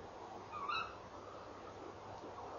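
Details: Female tawny owl outside her nest box at 04:33, 3 December 2013, calling while perched nearby after feeding; one abrupt rising call, harsh-edged with overtones, over low mains-like hum.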